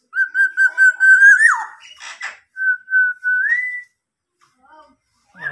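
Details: Black-naped oriole kept tame and singing eagerly, copying a police car siren: a run of six short repeated whistles on one pitch, then a sliding squawk, then a held whistle that rises at the end.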